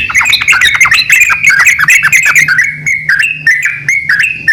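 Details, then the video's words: Yellow-vented bulbuls, a male and a female, trading calls: a tumbling burst of bubbly, squawky chirps at first, then sparser clear two-note phrases, over a faint low hum. "BURUNG TRUCUKAN JANTAN DAN BETINA SALING BERSAUTAN"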